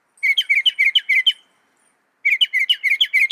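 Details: Northern mockingbird delivering quick, bright chirping notes in a rapid repeated series, a short silence, then the same fast chattering phrase again.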